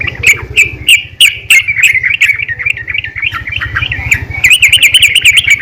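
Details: Female yellow-vented bulbul giving a lively call to other bulbuls: strong chirps at first, running into a continuous warbling chatter and ending in a fast trill of notes.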